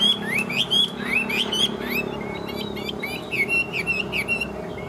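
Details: A captive Chinese hwamei sings a combative song while fanning its tail and flicking its wings. It gives loud, varied whistled phrases with sweeping rising and falling notes in quick bursts over a low background hum.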